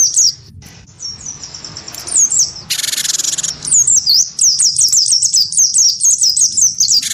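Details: Provoked by a white-eye, a wingko gelatik batu gives its fighting sound. A quiet opening gives way to a long harsh rattle near three seconds, then a steady stream of fast, high, slurred chirps.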